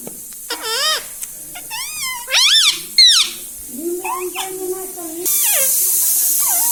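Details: Talking pet green ring-necked parrot indoors: several arched and wavering harmonic syllables, then a lower steady tone, ending under a loud hiss of broadband noise.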